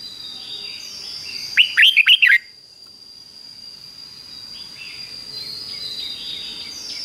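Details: Caged Red-whiskered Bulbul in Thailand giving one doubled song phrase for chicks to learn: five quick, bright whistled notes lasting under a second, followed by several seconds of faint bird calls and a steady high whine.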